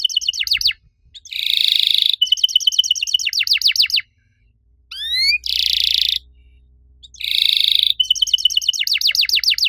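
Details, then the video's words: Active riwik-style canary singing cuit cuit phrases with long nembak bursts: bright high chirps, fast descending trills and dense buzzy rolls alternating in loud bursts, with short silent gaps and faint low hum beneath. "KENARI RIWIK AKTIF, CUIT CUIT NEMBAK PANJANG!!"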